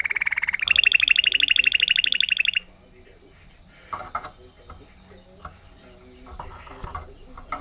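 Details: Trained Timbrado canary, intense yellow agate topaz, 2018: a rapid, even rolling trill shifting to a higher fast trill for about two and a half seconds, then faint clatter and background noise.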